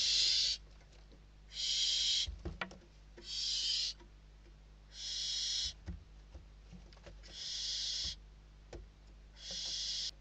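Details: Barn owl chicks in a nest in Spain compete for a bird brought as food; a steady series of six rasping hisses, one roughly every 1.5 seconds, somewhat quieter, with occasional knocks and rustles between them.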